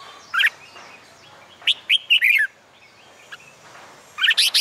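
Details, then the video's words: Red-whiskered bulbul song on a summer day, kept for contest-singing training: short bright warbled phrases, a clipped note then a run of three or four slurred whistles, and a final loud burst near the end. "CHIM CHÀO MÀO HÓT GIỮA NẮNG NGÀY HÈ"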